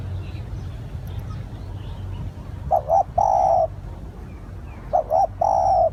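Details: Spotted dove lure call heard twice after a quiet start: a quick double coo, then a sustained mellow coo.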